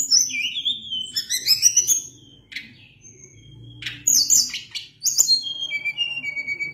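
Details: Sunda blue robin singing rapid chattering phrases that swoop down in pitch, then a lull, then loud squeaky bursts and sharp notes leading into high whistles descending step by step.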